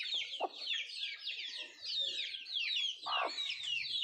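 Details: Country chickens (nattu kozhi) eating food, giving a continuous chorus of high, slurred, squeaky chirps from several birds, broken by two louder, lower clucking notes.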